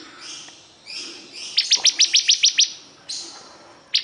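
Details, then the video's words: Vigorous bar-winged prinia song: soft whistled tones, then a run of eight quick, bright, high chirps, a faint whistle, and a single sharp note at the end. "Suara Burung Ciblek Kristal super gacor"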